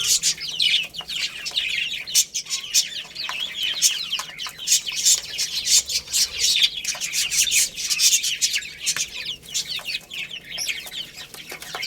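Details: Baby chickens chirping while playing and eating produce a thick wall of high, piercing peeps, punctuated by frequent rapid clicks and taps.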